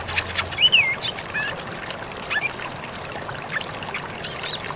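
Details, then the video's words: An Oriental magpie-robin gives a wild-style "ngalas" lure song said to make other magpie-robins answer: scattered, clear whistled phrases, some sliding up and down, high and varied, over a steady background hiss. "Pancingan Suara "Ngalas" Burung Kacer Ini Bikin Kacer Lain Auto Nyaut"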